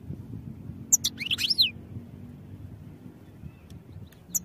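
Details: European goldfinch song for training, a single short phrase of bright, rapidly slurred twittering notes after a lone high chirp, followed by quiet low rumble.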